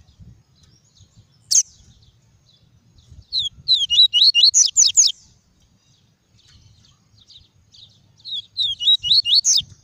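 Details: Double-collared seedeater singing pure 'tuí tuí' style song, played to warm up caged seedeaters and teach young birds. Two bursts of rapid, high, twittering notes, each a second or more long, come after a single sharp click early on.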